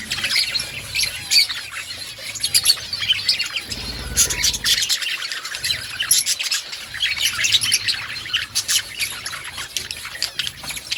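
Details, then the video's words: Chorus of budgerigars chattering in an outdoor colony: steady overlapping high chirps, scratchy warbles and occasional sharp squawks, with a short rubbing noise near the fourth second. "Budgies chirping sounds in outdoor colony"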